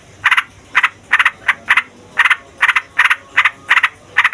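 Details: Yellow-vented bulbul whose noisy song is meant to stir young, lazy or wild bulbuls into singing. A brisk series of clipped, harsh notes falls in uneven clusters, roughly two per second.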